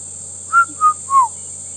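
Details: Red-chested Cuckoo at sunrise on a morning safari drive, 14 December 2014, giving its three clear whistled notes, each a little lower than the last, over a steady high insect hiss and low rumble.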